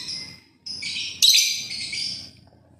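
Lovebird giving shrill, harsh, high-pitched chattering in rapid bursts, one louder screech in the middle, with no other clear sounds.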